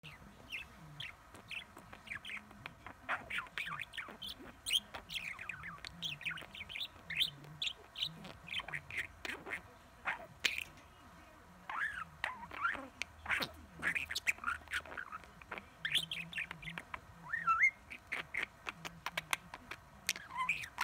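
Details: Male pet budgerigar that talks non-stop and says over 20 phrases, chattering in rapid, scratchy warbles that mix mimicked speech sounds with high chirps.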